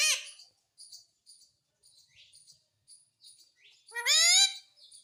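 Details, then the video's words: A talking parrot, given as an Indian ringneck or Alexandrine, says "mummy": two loud, harsh, rising word-like utterances, one at the start and one near the end, with soft high chirps and squeaks between. "MUMMY BOLNE WALA TOTA"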